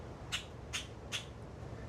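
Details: Common grackle in South Central Florida mangrove-palmetto swamp gives harsh, rasping scolding chack notes about every 0.4 seconds, mobbing a barred owl intruding on its territory, over a low background rumble.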